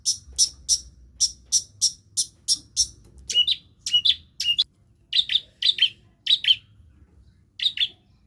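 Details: Long-tailed shrike mimicking other birds. Eight evenly spaced sharp high chips are followed by lower two-part chirps given singly and in short pairs with pauses between.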